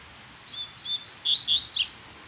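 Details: A wild brown-plumaged Double-collared Seedeater sings from a distance toward a decoy bird: a short phrase of thin, high whistled notes, then a quick downslurred ending, quiet against a faint background hiss.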